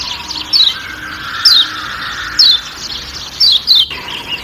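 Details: Kecial kuning white-eye from Lombok in a forest setting: five sharp high chirps sweeping downward, the last two in a quick pair, over a soft hum and a brief click near the end.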